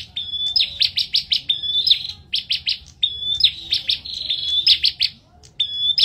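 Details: Bar-winged prinia singing loudly in a duel: a high, thin whistle introduces strings of sharp, evenly spaced chips, with a couple of quieter breaks between phrases.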